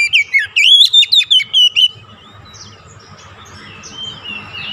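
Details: Caged white-rumped shama singing to stimulate others: a fast burst of loud whistled, sweeping notes over about two seconds, then quieter distant chirps and a faint steady hum.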